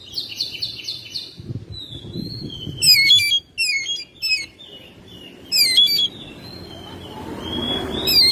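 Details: Home-kept Oriental magpie-robin in full song in May: a quiet buzzy trill at first, then loud clipped chattering phrases and brief whistles, followed by a quieter stretch with low background noise.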